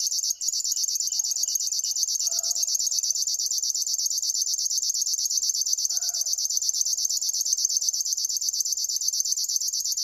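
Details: High, insect-like reeling of a River warbler, rapid regular pulses running without pause after a brief break at the start; soft lower chirps of another bird appear twice.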